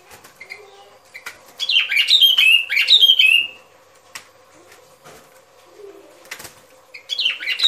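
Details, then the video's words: Used for trapping as a lure, sooty-headed bulbul song comes as one lively burst of chattering, slurred whistles lasting about two seconds, then quiet with faint clicks and a low hum, and a brief phrase at the end. "Tiếng Chim Bông Lâu Mồi Chuẩn Mp3 || Âm Thanh Đi Bẫy."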